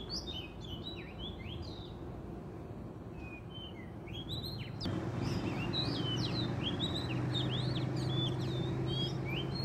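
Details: Wild Oriental magpie-robin recorded during trapping, singing vigorously: a rapid run of clear, varied whistled notes, some rising and some falling, over a steady low hum that grows louder halfway through.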